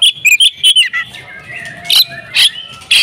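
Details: Oriental magpie-robin in an agitated fighting song, a few quick whistled notes and squeaks followed by sharper, harsh bursts spaced about half a second apart.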